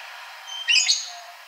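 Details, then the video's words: Ashy drongo giving a quick, bright jumble of high whistled and chattering notes lasting under half a second, with faint thin tones before it and a constant hiss behind. "Srigunting Abu Abu Agar Rajin Bunyi"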